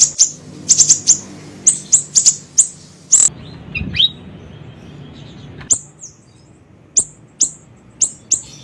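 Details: A small siri-siri bird's song as a lure: clusters of piercing high chips, a short break with descending slurred notes, then evenly spaced single high chips about once every half second.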